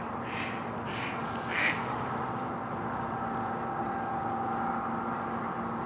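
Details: Adult male and female mallards at Domaine Maizerets on 27 March 2018; three short, hoarse quacks come in the opening two seconds over a steady low background hum.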